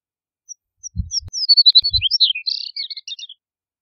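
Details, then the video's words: A chestnut-collared longspur sings one sweet, jumbled warble of quick slurred notes, opening with a few thin high whistles and descending into a rich, slightly buzzy flourish near the end, with soft low thuds in the background. "Chestnut-collared Longspur Song! Call! Sound! - Escribano Collarejo Canto - Calcarius Ornatus"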